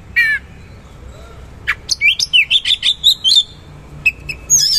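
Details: Oriental magpie-robin, locally kacer, singing a rapid rolling burst: after a buzzy opening note, a fast run of a dozen short sharp whistled chips about four per second, then scattered high squeaky notes.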